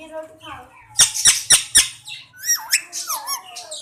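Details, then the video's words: Indian parrot saying Mian Mithu: four sharp clicking squawks in quick succession, then a string of bending, word-like talking syllables. "Indian Parrot saying Mian Mithu..Talking Mian Mithu.."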